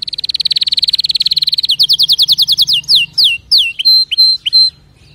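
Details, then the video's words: A canary sings a loud, very fast buzzing roll, shifts to a slower run of downward-sweeping notes, then ends with a few separate pure whistles before falling quiet. "اذا كناريك ما تغير في ضرف دقيقة اطلقو وبلاش تربي كناري"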